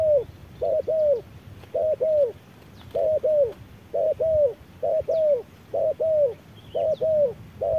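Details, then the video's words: Wild spotted dove facing an electronic decoy at midday in blazing sun; soft, hollow coo pairs, short then longer and sagging, repeated about nine times in an even rhythm. "MỒI MÁY DẬP ĐẤU BỔI GIỮA TRƯA NẮNG GẮT BỔI HÁ CẢ MỎ"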